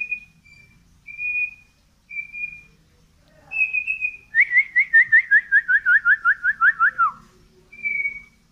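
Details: White-rumped shama of the Medan type, singing steadily while pushing its tail: several level whistles, then a fast descending trill of about fourteen slurred notes, ending with another whistle.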